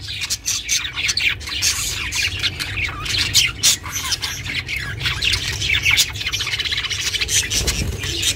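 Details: Budgerigar kept as a pet, chirping for solitary budgies; harsh squawky chatter mixed with quick clicks and high tweets, steady and busy, a low rumble beneath.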